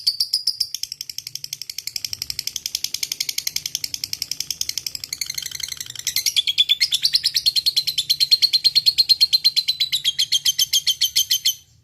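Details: A lovebird in fighting mood keeps up a long ngekek for nearly twelve seconds: rapid high chattering pulses that shift pitch slightly midway and grow louder toward the end.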